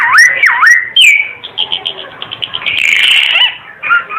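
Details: Timor red-eyed bird (burung ara timor mata merah) singing in a lively, energetic style. Loud clear whistles slide down and up, then a run of short bright repeated notes and a dense warbled burst, ending with lower whistled phrases.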